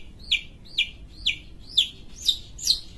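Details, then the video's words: ['Pentet, a Sumatran long-tailed shrike kept as a songbird, repeats one sharp downslurred note about twice a second. Six notes in all, the last ones rising slightly higher.'] "Pentet sumatra gacor"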